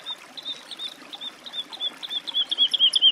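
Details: Woodlark singing. Soft, spaced whistled notes gradually quicken and swell into a loud, rapid run of fluid, slightly descending notes at the end.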